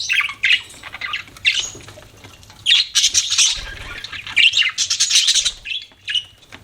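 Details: Budgerigar chatter in uneven bursts: scratchy squawks and buzzy twitters separated by short quiet gaps, with faint low thumps in the background.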